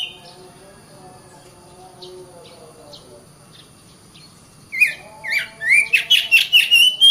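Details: Oriental magpie-robin in continuous song, a caged bird used to train others to sing and fight: several seconds of faint quiet ticks, then loud fluty whistles and rapid repeated notes climbing in pitch.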